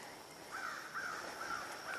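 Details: An American Crow flying overhead along a trail on 5 August 2023 gives harsh, hoarse caws about every half second, four in quick succession, over a steady background hiss.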